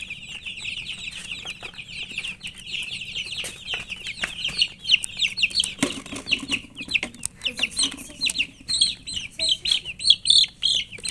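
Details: Chicks (murgi) chirping out of thirst for water: steady rapid high peeping that grows louder and sharper toward the end, with occasional knocks and handling noises.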